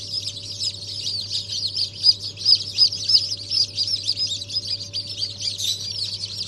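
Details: Chorus of newly hatched Brahma chicken chicks from the year's first hatch, dated 14 January 2023: many shrill, rapid overlapping cheeps, several louder sharp peeps standing out midway, with a constant low humming drone beneath.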